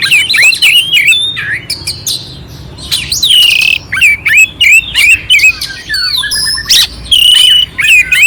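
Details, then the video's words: Oriental magpie-robin (kacer) in loud clear song with coarse fill, meant to raise a passive bird's excitement; rapid run of chirps and twisting whistles, about three notes per second, in short repeated bursts. "Suara Kacer Jernih isian kasar Cocok untuk masteran untuk menaikkan emosi kacer dingin"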